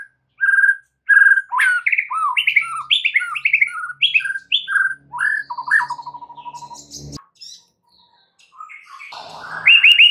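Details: White-rumped shama singing as a lure for other shamas to sing and add to their repertoire: a long series of varied clear whistled phrases, rising and falling, ending in a low buzzy trill, a click, and fresh loud notes.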